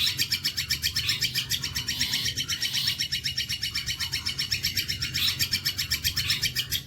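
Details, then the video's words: Bolo panjang song of a long-tailed shrike, used to tutor other birds: a long unbroken run of rapid, rasping high pulses, evenly repeated and slightly swelling in loudness at intervals, over a low hum. "MATERI ISTIMEWA BOLO PANJANG"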